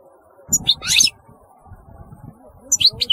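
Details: European goldfinch giving short high twittering bursts over low murmuring background noise.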